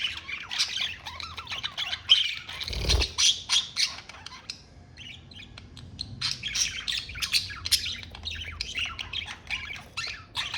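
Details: Pet budgerigar keeps up a long, lively warble of scratchy squeaks and rapid chirps. A brief low thump near the start and a short pause midway.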